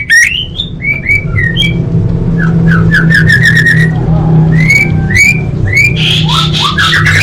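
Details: Female orange-headed thrush calling males, played to stir silent birds into singing. It gives a string of short slurred whistles, rising then falling, repeated several times a second in loose groups, with a steady low rumble underneath.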